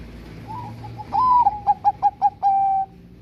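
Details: Bangkok-type zebra dove, a prolific singer, whose song is used as a lure to make lazy doves sing. A brief rising coo opens, then a long clear whistled note, four short bouncing notes, and a sustained level final note.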